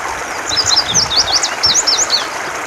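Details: Indigo bunting song: a quick run of high, thin, slurred chirps and short sweeping notes, closely spaced for about two seconds, over a steady broadband hiss.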